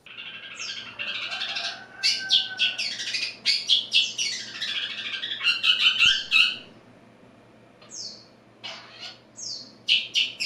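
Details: A young spotted Long-tailed Shrike from Madura, about seven months old and just bathed, starts arranging its song: a rambling, scratchy medley of harsh chatters and high whistled notes, still slurred and unfinished, with short pauses between bursts.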